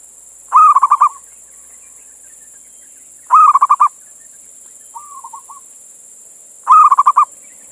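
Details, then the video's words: Indonesian local male zebra dove calling a female: rolling bursts of six or seven fast mellow coos repeated about every three seconds, with a quieter single-phrase coo between them, over a steady hiss. "Suara Perkutut Jantan Memanggil Betina"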